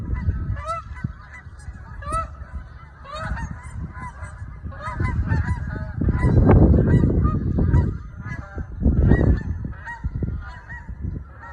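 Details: Canada geese flying over New Jersey honk loudly in a steady, overlapping stream of nasal two-part honks, with several birds calling at once over a low rumble of wind or traffic.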